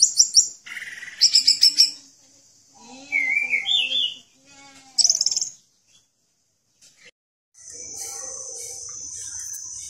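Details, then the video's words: Orange-headed thrush singing in a varied, energetic style used as a model for training cage birds: bursts of high chirping trills, short mid-pitched whistles and lower notes separated by pauses, ending in a steady high buzzing tone. "Anis Merah Gacor Dan Teler Cocok Untuk Masteran"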